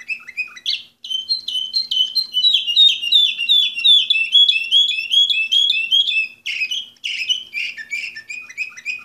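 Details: Orpheus-breed canary listed as number 24 in 2014 delivering a long, rapid warbling song of repeated sweeping chirps, nearly continuous for nine seconds with two short breaks, bright and loud against a quiet room.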